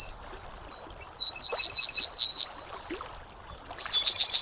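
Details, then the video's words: Yellowhammer singing: a high sustained whistle, a pause, then a series of quick repeated high notes ending in a long drawn note, followed by another rapid trill. Faint background hiss. "Yellowhammer Singing (Emberiza citrinella)"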